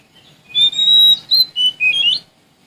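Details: Sumatran Oriental magpie-robin singing to seek rivals: a sustained clear whistle, a short loud note, then sliding phrases rising at the end, over a faint low background hum.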